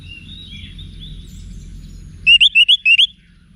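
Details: Wiksar-type song from an orange-headed thrush used to train caged birds: faint thin whistles at first, then five quick, evenly spaced, clear looping notes.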